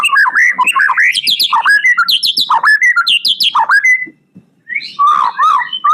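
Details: White-rumped shama from Medan, Indonesia, pouring out a fast song of looping whistled phrases and chattering notes filled with mimicked isian elements, a short silence near four seconds, then more bright warbling.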